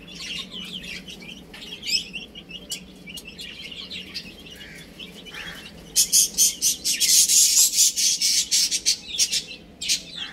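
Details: Baby chicks chirping while they play and eat; thin high peeps fill the first half, then loud rapid pecking or scratching taps, about two per second, take over with peeps beneath.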